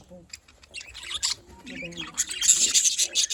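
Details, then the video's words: Budgerigars in the afternoon, Larkana, Sindh: busy high-pitched warbling and chirping chatter with scratchy notes, rising toward the end, with faint low voices beneath. "budgie bird and beauty || nice afternoon bird"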